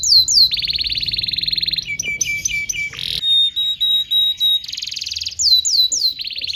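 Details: Domestic canary song used as a training recording so young canaries learn to sing: fast downward whistles, long dense buzzy trills, pure sustained high tones and short chopped notes in rapid alternation, with no other sounds.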